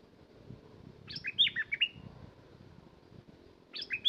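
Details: A bulbul delivers a short, lively warbling phrase of several liquid, looping notes, then falls quiet for about two seconds before starting the same phrase again, over soft low-pitched background noise.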